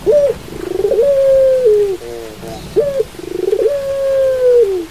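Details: Two full coo phrases from a pelung-style Barbary dove: a bright rising yelp, a throbbing pulsed roll and a long, even hooting tone sinking at its close, separated by a soft triple note.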